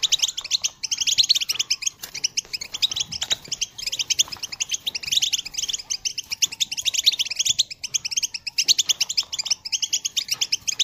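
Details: European goldfinch calling song, recorded in 2022, meant to encourage other birds to sing: dense, continuous high twittering and tinkling chatter, fast and unbroken throughout.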